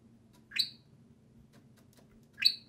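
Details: Two social pet budgerigars playing and talking during time outside their cage indoors; two sharp rising chirps about two seconds apart, bright and high, with a low room hum beneath.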